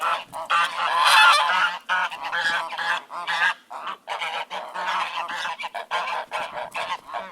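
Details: A flock of ducks calling together: dense, overlapping nasal quacks in rapid, irregular bursts, with loud peaks near the start and steady chatter throughout.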